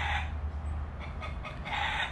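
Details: Rooster crowing repeatedly among many chickens on rocky ground with grass and trees on Grand Cayman, Cayman Islands: drawn-out harmonic crow notes at start and end, partly masked by steady wind-like rumble.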